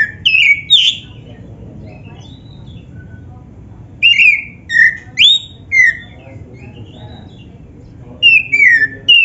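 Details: Oriental magpie-robin with a black breast singing as lure playback: an opening burst of varied whistles, a pause with faint soft notes, a clear run of rising and falling whistles around four seconds, and a final burst.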